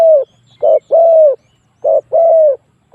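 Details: Spotted dove call played to draw wild doves in to fight: strong, clean coos, short then long, two pairs in quick rhythm over a quiet background.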